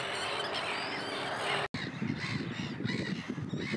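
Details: Common tern (Sterna hirundo) in Russia gives harsh, grating, rasping calls in quick succession, broken by a brief cut, over a steady wash of background noise.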